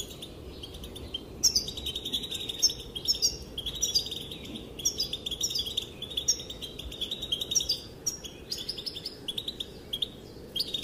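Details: Calling female European goldfinch, whose calls are said to set males dancing: continuous lively twittering of high, clipped chirps and trills in uneven bursts, soft hiss underneath.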